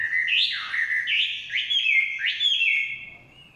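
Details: Forest song of a Chinese hwamei: clear, loud whistles that swoop upward and then fall, given as a short series of rising, looping phrases that fade out at the end.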